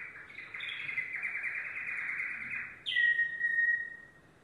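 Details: Yellow domestic canary in song, pouring out a continuous rapid rolling trill that ends in a sharp bright phrase and a clear descending whistled note.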